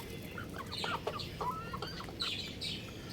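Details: Rooftop young rooster chirping: quick high squeaky notes, some rising and some bending, in short bursts about every half second, over a hissy background.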